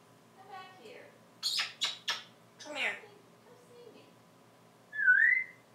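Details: African grey parrot alone on a porch, live, vocalizing: quiet murmured sounds and several sharp clicks or pops, a soft breathy phrase, then a clear rising whistle to finish.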